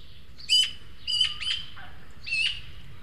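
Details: Juvenile Eurasian magpies at a feeder in a garden in El Retiro, Madrid, filmed by webcam; two young birds beg food from a more developed third. Four harsh, buzzy squawks with ringing overtones, one lower and shorter, over soft background hiss.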